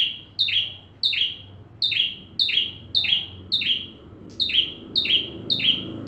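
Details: Energetic bar-winged prinia song meant to teach white-rumped shamas: about ten loud doubled notes in quick, fairly even succession. Each note is a shrill chip followed by a downward buzzy slur.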